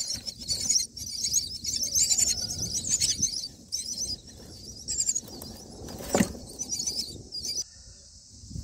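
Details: Myna chicks calling from the nest as a parent delivers black crickets on day nine: bursts of hoarse, shrill, very high chattering squeals, pausing briefly and resuming, over faint rustle and one sharp knock.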